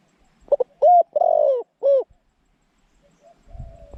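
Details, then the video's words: Zebra dove used as a decoy to lure wild doves into a trap: bright, clipped cooing notes around mid pitch, a quick double note then longer rolling coos ending in a falling phrase, fainter coo and rustling after. "จ้าว M16 จัดเชลย เสียงกลาง คูเก่งคูนานๆคับ"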